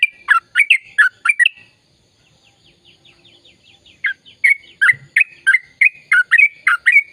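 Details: Sooty-headed bulbul in full, long rolling chatter, played to prompt silent birds to sing: bursts of sharp, bubbly chirps, a quiet stretch of soft ticking, then the rapid chirping resumes.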